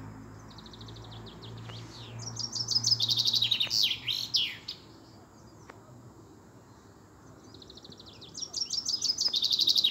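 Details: Singing European robin, 13 April 2020: two high strophes split by a few seconds of near silence. Each opens with rapid repeated thin notes and runs into tumbling, sliding phrases, with faint clicks in between.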